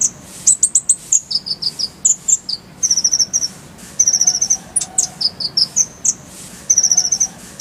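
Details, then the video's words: High-pitched masteran song of a brown-throated sunbird, full-fill and rolling 'tembakan' style: dense runs of sharp, piercing chips and short trills, some stepping down in pitch, delivered almost continuously. "Masteran Kolibri ninja full isian, Roll tembakan Suara jernih"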